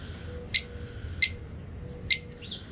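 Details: Singing African parakeet giving three separate harsh, shrill squawks spaced under a second apart, with a faint softer squeak at the end and low background hum.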